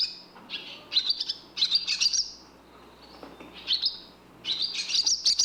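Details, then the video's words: Barn swallow twittering in quick, high, scratchy bursts, three or four chattering phrases with brief pauses between them, against a quiet background. "Barn Swallow Bird sound"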